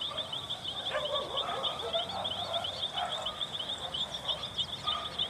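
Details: Plumbeous ibis on a street in Chajarí, Argentina, giving harsh, nasal honking calls in quick uneven bursts, over a steady high-pitched insect buzz that runs throughout.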